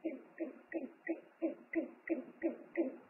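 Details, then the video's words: Owl pair at a nest on a live nest camera, 3 March 2019, exchanging calls as the father brings food: a steady run of short, low, hoarse hoots about three per second. "ūpju paps atnes ņammu,dialogs"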